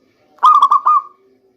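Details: Local zebra dove singing a lure phrase meant for the rainy season: one quick burst of three or four clipped coos merging into a longer, fading, even note.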